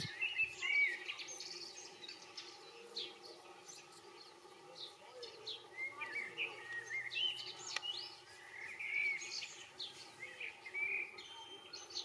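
European goldfinch giving bright, tinkling twitters and short high chirps in irregular bursts, over a steady hiss of background noise.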